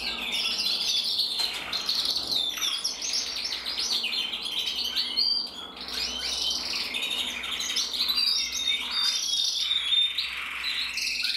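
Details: Steady, unbroken song from a 2024 red-black intensive canary cock, mosaic split, made of fast warbling trills and quick chirped notes held high in pitch throughout.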